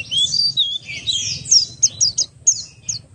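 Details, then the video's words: Buxtoni Oriental white-eye lure song to set other white-eyes singing: swooping high whistles followed by crisp, evenly spaced chirps at about one per second. "pleci Buxtoni ngalas 12345 pancingan pleci bahan agar cepat bunyi"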